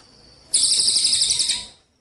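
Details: Javan munia song for songbird contest training: a brief, intense high buzzy trill of just over a second, starting suddenly and tapering off.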